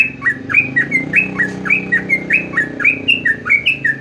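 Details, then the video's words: Quick, bright whistles from a sooty-headed bulbul, clipped notes dropping and rising in steady alternation, roughly one per second, over a soft low background murmur. "jogjog yahud trucuk trocok"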